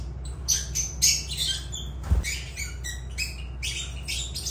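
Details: Lovebirds making short, sharp squeaky chirps and squawks in irregular clusters, with one dull thump partway through.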